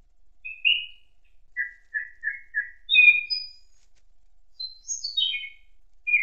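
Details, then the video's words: A thrush sings in an autumn forest: clear, whistled phrases, a short note repeated four times, then sharp high notes tumbling downward, against a quiet background. "Пение Дрозда"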